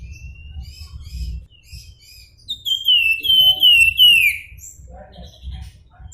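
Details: Flamboyan whistling in the nyuling style: a thin rising whistle, then a series of loud, pure notes that each sweep downward, three or four in a row, over low background hum.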